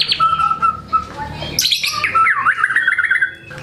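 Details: White-rumped shama in captivity delivering a varied song: level whistled notes, a sudden sharp high burst, then a rapid wavering trill, all over a constant low hum.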